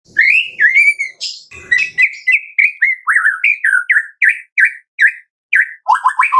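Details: White-rumped shama song played to prompt captive birds to sing: a steady run of rich whistled notes, each swooping down, repeated about twice a second, with faint high twitters above.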